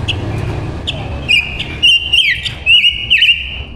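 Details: Female silver-eared mesia kept as a decoy, singing to call and lure wild males; short whistled notes near the same pitch, some slurring downward, delivered in quick bursts after a low rumbling background at the start.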